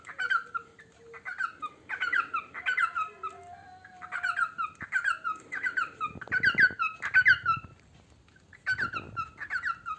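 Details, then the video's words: Pet parrot singing as it eats: lively series of harmonic, downward-sliding whistles interrupted by short pauses, with a soft low tone near the start and some muffled thumps. "Chu singing while eating"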